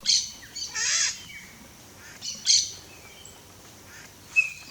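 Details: Wild red-shouldered macaws in natural Brazilian habitat giving harsh, raspy screeches in short bursts, with fainter higher squeaks between them.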